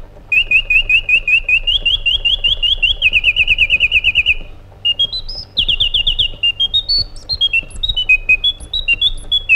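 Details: Quick trills of repeated whistled notes from a white-eared bulbul, changing pitch between runs, followed after a short gap by a jumpy, varied phrase of clear whistles rising and falling.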